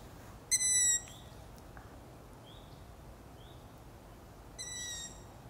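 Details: Long-eared owlets at night: a loud harmonic tone opens, followed by a few faint high rising squeaks, then another loud layered tone near the close.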